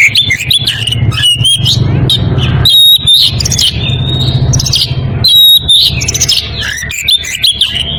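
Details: In breeding condition, an Oriental magpie-robin calls out to a rival with repeated clear whistled phrases mixed with harsh chattering notes, broken by short gaps, over a constant low hum.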